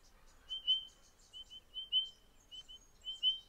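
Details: Spotted pardalote from a pair raising a summer brood at a nest in the Capertee Valley: soft, pure whistled notes on one pitch, given in pairs and threes, repeated about every second against a faint background hiss.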